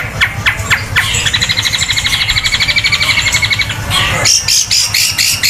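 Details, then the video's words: Long-tailed shrike delivering a long, loud 'tembakan kuntilanak' song style with beak wide open: harsh opening notes, then a rapid even trill lasting over two seconds, followed by a high buzzy passage over background noise. "Cendet tembakan kuntilanak super dahsyat panjang keras sampai buka paruh lebar"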